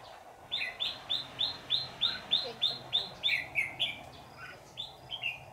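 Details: Red-whiskered bulbul at a bird trap in Vietnam, with the trap branch shifted several times before the bird arrived. A steady run of about a dozen sharp, high chirps falls roughly three per second, then turns briefly irregular, over a low hum.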